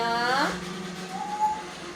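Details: Pet male African grey Congo parrot, almost five years old, kept indoors, imitating cat noises: a loud, rich, meow-like cry that rises then falls in the first half second, followed by a softer, thin, steady tone.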